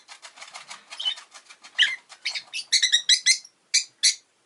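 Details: Pet rosy-faced lovebird, recently joined by a second bird, makes a rapid run of scratchy chattering notes that grow louder and sharper into separate shrill chirps near the end.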